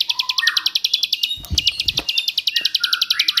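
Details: Ciblek, the bar-winged prinia, singing 'tembakan' bursts for training white-rumped shamas and magpie robins: a fast, even string of sharp high notes with lower rising chirps, broken midway by a brief low thump.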